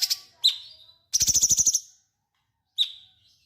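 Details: Sooty-headed bulbul singing vigorously, recorded as a tutor song for training white-rumped shamas: short high chirps with falling tails, then a harsh buzzy pulsed rattle of about nine rapid notes, followed by a pause and one more sharp chirp.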